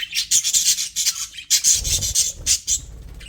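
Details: Pet budgerigars in an aviary give rapid, harsh, high chirps in a rhythmic series, overlapping with low rustling or wing noise.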